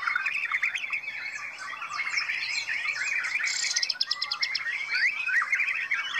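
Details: At a song competition, a black-tailed Black Devil white-rumped shama pours out continuous tight phrases: upslurred whistles, buzzy chatter and a rapid stuttering volley of high repeated notes midway.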